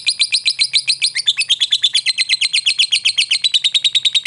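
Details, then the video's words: Fast high chattering trill from a lovebird fighter, notes pulsing around seven per second with a slight drop in pitch midway, a ngekek lure meant to provoke a response from other lovebirds. "lovebird ngetik ngekek pancingan ampuh Lovebird fighter"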